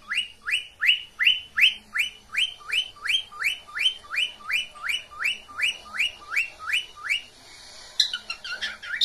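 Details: Cockatiel mating call from a pet bird: a steady series of identical upslurred whistles, roughly two and a half per second for seven seconds, ending in a brief jumble of squawky chirps.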